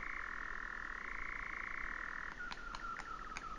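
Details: European nightjar in 2019, churring steadily, then switching to a lower, softer trill, while sharp clicks ring out four times at the end.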